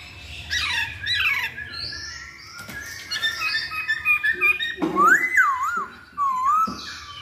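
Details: Masked laughingthrush singing as a lure to set other birds off: harsh squawks and descending slurred notes give way to a busy run of short whistles, then loud looping whistled phrases rising and falling.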